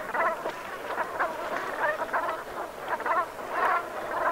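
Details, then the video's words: Brent geese in the Gulf of Morbihan, Brittany, at sunset on 7 November 2021: low, rolling croaking calls from many birds come in rapid clusters roughly every half second, blending into a throaty murmur. "BERNACHES Cravants/Automne/Ambiance Sonore"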